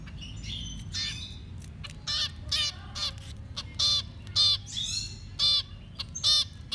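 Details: Nestling birds calling for food during feeding: scattered harsh, screechy rasps at irregular intervals, some with bright rising whistled overtones, and quieter chirps between them.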